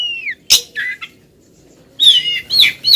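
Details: Female Oriental magpie-robin calling insistently at a male: a falling whistle and sharp chip, a brief warble, a second of quiet, then a quick run of buzzy wavering whistles.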